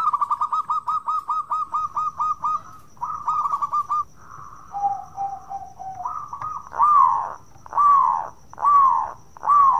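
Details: Local zebra dove singing a lively song used to prompt other doves to sing: a fast stuttering run of short coo notes, then a few low flat notes, ending in longer slurred coos spaced about a second apart.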